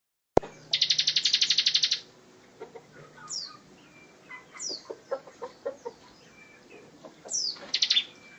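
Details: Bar-winged prinia singing a dense 'tembakan rapat' style song, meant as tutor material for other songbirds such as white-rumped shama and magpie robin: a sharp click, then a fast buzzy trill of about twenty notes, then scattered high down-slurred chips and low ticks.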